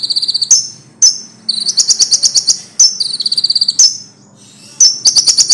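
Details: High-pitched song of a loud common iora, used for tutoring songbirds: short rattling trills punctuated by single sharp downslurred notes roughly every second, with a soft low background rumble.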